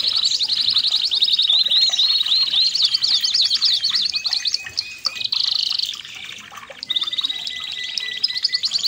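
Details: Red canary, kenari merlok, singing a training song: fast rolling trills and rapid repeated chirps, bright and high, running in tight chains with brief pauses and a sharp switch to a new even trill near the end.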